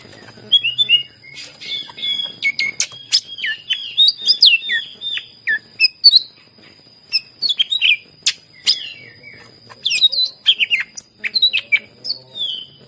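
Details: Greater green leafbird pouring out rich, varied song to stimulate silent leafbirds: rapid chattering chirps and twisting whistled phrases in long flowing runs, interrupted by sharp ticks, with a faint continuous high background tone.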